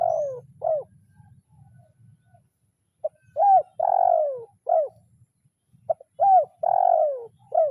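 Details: Spotted dove calling a rival, lure-training 'kuk 0-1' style. The phrase ends once, then comes twice in full after pauses: a short note, an arched coo, a long downward coo and a clipped final coo. A faint hum lies beneath.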